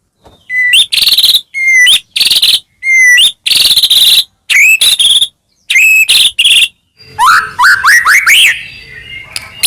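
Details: White-rumped shama in full song with varied fillers, played to provoke singing in other shamas: sharp pure whistles paired with harsh buzzy bursts, alternating in quick phrases, then a rapid series of rising squeaky notes.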